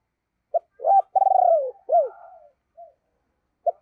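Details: Booming-voiced decoy spotted dove calling to attract wild birds: a short note, a swelling hoot, a long rolling downslurred coo, then a sharply falling note, a quiet trailing coo and one final short note.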